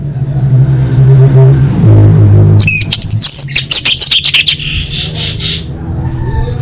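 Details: Female orange-headed thrush calling males, a lure for birds that stopped singing; after low rumbling, a two-second volley of sharp scratchy notes and slurred whistles, trailing into softer buzzy notes.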